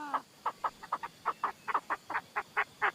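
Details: Chinese francolin decoy call: a fairly faint series of short, harsh, evenly spaced notes, roughly two to three per second, over a soft background hiss.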